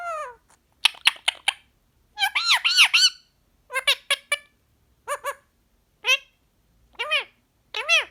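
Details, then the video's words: Pet green pied male Indian ringneck parakeet chattering non-stop while relaxing, saying phrases such as yummy yummy and come here baby: bursts of raspy, nasal word-like syllables with pauses between, in a quiet room. "Ricco the parrot talks non stop while relaxing"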